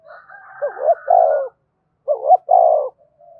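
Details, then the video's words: Spotted dove cooing to provoke fighting: two phrases, each of two quick hooting notes followed by a longer, steady coo, over a faint higher, hazy background sound at the start. "Tiếng chim cu gáy thúc đấu kích bổi hiệu quả giọng hợp bổi"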